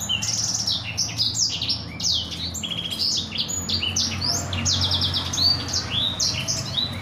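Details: Black-throated canary singing a rolling master song for canaries to memorise: continuous high sweeping notes, brief buzzy trills and whistled slurs above a steady low hum.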